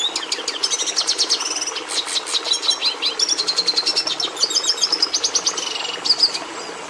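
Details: Red siskin singing a long, fast sequence of high twittering notes punctuated by buzzy trills and sharp chirps, sustained for about six seconds above faint background hum.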